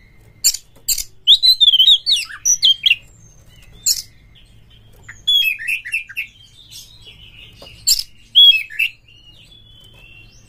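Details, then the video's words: Kacer pancingan, an Oriental magpie-robin song used to boost emotion and fighting material: loud bursts of rich warbled phrases, sharp high chips and falling whistles, delivered in clusters separated by short silences. "PANCINGAN KACER TOP untuk DONGKRAK EMOSI"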